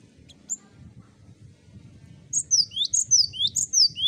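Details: Cinereous tit ombyokan master for prompting song: after a faint opening note and low background rumble, a steady series of loud, piercing, down-sweeping whistled notes repeats rapidly in pairs.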